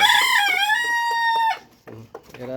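A Fayoumi chicken gives a loud, drawn-out crow lasting about a second and a half, held level before cutting off, followed by a few soft clucks.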